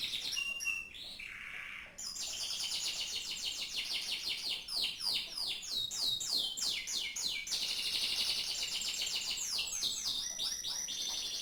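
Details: Canary song rich in variety: brief whistles and a low burr, then long stretches of rapid high trills and rolling downward-swept notes, almost continuous.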